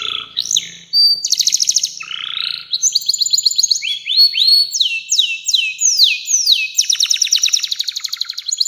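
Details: Canary in continuous long song, used to train young canaries. Buzzy bursts and trills open into a long series of sharp descending whistled notes repeated rhythmically, bright and high throughout.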